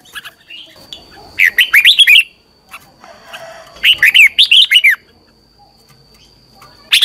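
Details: Caged red-whiskered bulbul's morning training song for teaching other birds; two bursts of quick, warbling, slurred whistled notes about two seconds apart, separated by quiet, with a thin constant high tone in the background.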